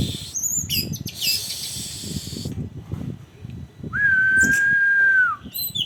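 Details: Orange-headed thrush singing in a lure style for training, with a long steady whistled note held about a second and a half, preceded by scratchy high phrases and buzzy bursts; low background rumble throughout.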